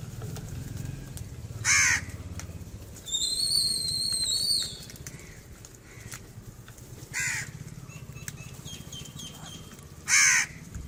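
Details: Crows gathering to feed give three loud, harsh, hoarse caws a few seconds apart. A thin, high, steady whistled tone with a lower companion tone sounds in between, over a constant rushing background noise.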